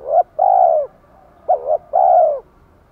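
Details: Low, mellow spotted dove cooing played to make a freshly caught male coo persistently. The tail of one phrase, then a full phrase of a wavering two-part note and a long smooth coo.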